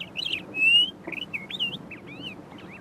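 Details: An Eastern Clapper Lark (Mirafra fasciolata) mimics other birds from a low perch rather than giving its usual flight-display whistle: high chirps, a long rising whistle and looping, slurred notes over a soft hiss.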